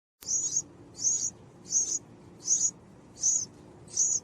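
A purple-crowned fairy gives six very high, thin squeaky notes, one about every three-quarters of a second, over a faint low background hum.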